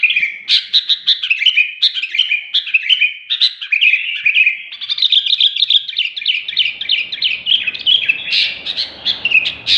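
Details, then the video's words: Sooty-headed bulbul in full, talkative song: rapid chattering bursts of sharp, squeaky notes run almost without pause for ten seconds, growing denser and busier toward the end. "BURUNG KUTILANG SUPER GACOR"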